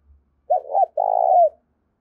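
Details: Spotted dove giving a lure call used to attract wild doves: a short two-part coo, a brief wavering note followed by a longer, steady, hollow coo that drops slightly at the end, over a silent background.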